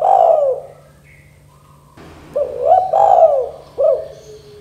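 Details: Energetic spotted dove calling in the "kuk 2" style, meant to prompt young doves to call: one drawn-out coo, a brief gap, then a rapid string of three rounded, hooting coo notes.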